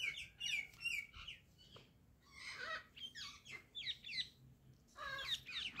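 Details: Pet Indian ringneck parrot talking: rapid strings of harsh, warbling syllables and squeaky chatter in bursts, with short pauses between phrases and occasional sharp rising notes.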